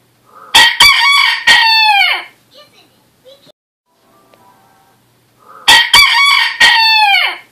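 A rooster crows twice, each a loud, harmonic cock-a-doodle-doo lasting about two seconds, the second crow coming after a short quiet pause with faint clucks.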